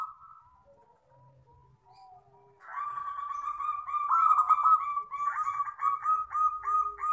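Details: Wild local zebra dove (perkutut) used as a lure and tutor call, cooing in a run of quick, clear, ringing "crystal" notes, several a second, after a quiet first couple of seconds.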